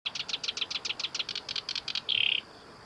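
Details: Black-browed reed warbler singing at North Fuji training ground, Japan, 23 July 2021: a quick run of about fourteen high, chattering notes, then a short buzzy trill.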